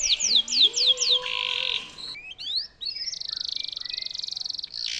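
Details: Canary singing, recorded as a master song for White-rumped shamas. Quick descending slurred notes lead into a buzzy roll, then rising sweeps and a long rapid trill. A soft low whistle sounds at the start.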